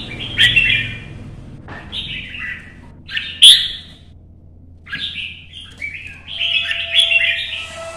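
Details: Caged red-whiskered bulbul singing for competition in Vietnam, in morning sunlight while shuttling between perches: separate bursts of sweet, slurred whistled phrases roughly every one to two seconds, one sharp, loud high note, over a soft low background hum.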